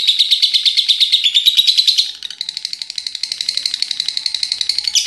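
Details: Continuous ngekek chatter of a pet lovebird, said to last until morning: loud buzzy pulses for two seconds, a brief dip, then quieter, evenly spaced rapid chattering notes.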